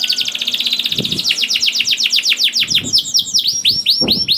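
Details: Canary song played to get lazy canaries singing: a long accelerating-then-slowing series of downward-sweeping chirps ending in higher, wider swoops, with occasional low thuds.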